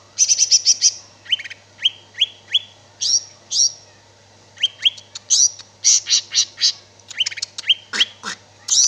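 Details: Energetic greater green leafbird song, known locally as cicak ijo: dense rattling trills, runs of falling whistles and harsh high buzzes in quick succession, one brief lower sweep near the end, low background hum.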